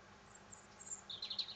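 A brief fragment of European robin song: faint, very high thin notes, then a quick burst of high, twittering warbled phrases near the end.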